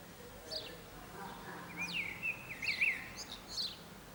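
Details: Urban blackbird on an antenna in Zamudio, Txorierri, Bizkaia, 18 April 2019, singing a rather quiet fluted phrase that rises into looping whistles and closes with a high thin squeak, against low background murmur.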